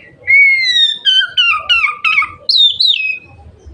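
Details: Oriental magpie-robin, singing loudly in 'gacor' fashion to stimulate other magpie-robins to fan their tails: a long level whistle followed by a tumbling run of quick descending notes and a final high, warbling downslurred phrase.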